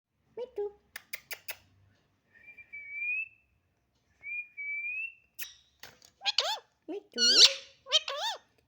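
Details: Pet parrot indoors, a talkative bird, giving short clicks, then two long level whistles, followed by a burst of harsh, rising and falling squawking calls.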